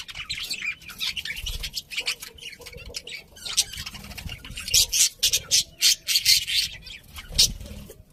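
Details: Budgerigars chirping in rapid, irregular bursts, about three or four notes a second, scratchy and buzzy, becoming louder and more clipped in the second half.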